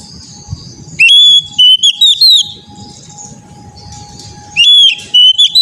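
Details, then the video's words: Oriental magpie-robin song used as therapy audio to make young untrained birds sing: two bursts of loud, clear whistled phrases with sharp rising and falling notes, a quiet gap between them, and a steady low hum and rumbling noise underneath. "TERAPI KACER BAHAN AGAR CEPAT GACOR NGEPLONG"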